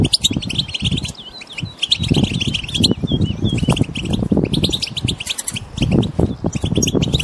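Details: Wild European goldfinches chirping together in a group, a call used to push a silent goldfinch into singing; bright, rapid high chirps and short twittering notes crowd the clip over steady low rumbling background noise.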